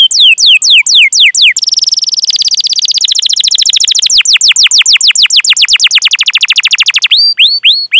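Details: Canary song for luring other canaries to sing: falling whistled chirps lead into a dense rapid trill that shifts into long runs of quick downslurred notes, ending with rising clear whistles.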